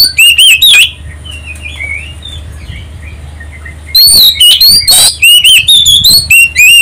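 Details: Oriental magpie-robin song used to provoke other birds to sing: loud, quick whistled phrases that open and close the recording, with sweeping up-and-down notes, and a quieter middle stretch of faint distant chirping over a low hum.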